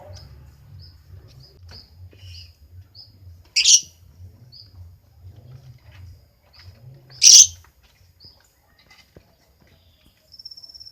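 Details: Two loud, rasping shrieks from a lovebird about three and a half seconds apart, surrounded by soft high chirps and a low rumbling hum.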